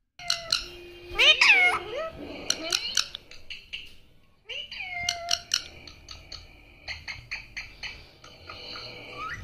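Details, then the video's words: Pet parrot talking, saying words like mummy and papa; harsh, tonal imitated syllables and short phrases in quick bursts with brief pauses. "mitthu talkinng mummy papa"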